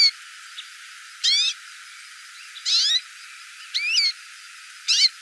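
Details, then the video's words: Calling hooded siskin, giving four quick chirpy bursts about a second apart, each a cluster of sharp, upward-sweeping whistles with overtones over a quiet hissing background. "CANTO DO PINTASSILGO CHAMANDO"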